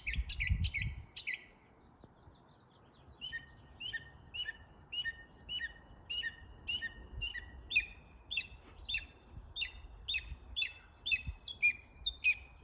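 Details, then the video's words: A bird making a series of sharp chirps. A few quick high notes open, then a pause, then crisp two-part chirps repeat nearly twice a second and grow slightly faster and higher toward the end. "Amazing Bird Making Different Sounds!"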